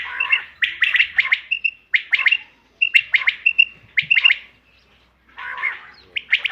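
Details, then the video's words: Bater (common quail) hunting lure call, 5 June 2025: quick series of scratchy chirps mixed with short clear whistled notes, arriving in bursts of four to six with pauses between. "bater ki awaz shikar k liye behtareen awaz quail bird sounds for hunting بٹیر کی آواز"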